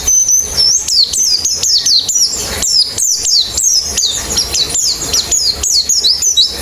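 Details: A white-eye sings in a steady series of high, sharply down-slurred chirps, several per second, in a clean recording used to make birds sing fast with open beaks.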